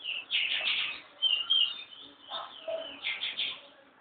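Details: Chestnut-bellied seed finch (curió) free on a person's hand, singing bright, clear whistled notes in short warbling bursts, with brief pauses between phrases. Faint background murmur.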